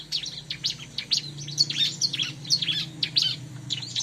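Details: Bar-winged prinia song, used to lure prinias: dense run of sharp high chirps and quick downslurred notes, several each second, with a steady low hum underneath throughout.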